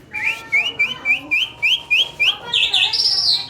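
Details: Asian pied starling in energetic song: a run of about eight clear, rising whistled notes repeated several times a second, ending in a higher, harsher warbled phrase.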